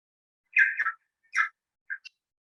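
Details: New Zealand bellbird call, clearer than the tui's, with separate notes. Three short bursts of clear, ringing, bell-like notes, with pauses of about half a second between.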